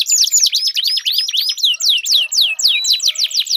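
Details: Canary singing as a stimulus for a non-singing canary, clear arching whistled notes delivered in quick succession, steady and loud, with a faint soft murmur beneath.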